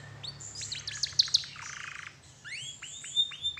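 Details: Canary song played as a lure to prompt other canaries to sing: quiet high twittering and buzzy notes, then a series of rising whistled slurs, with a low hum in the background.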